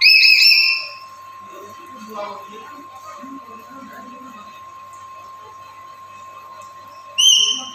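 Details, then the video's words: Black-capped lory kept as a daily-active master bird for luring other lories: a harsh whistled call opens and another brief one closes, with a long stretch of muffled voices and a constant hum in between. "Suaranya Bikin Nuri Lain Langsung Gacor"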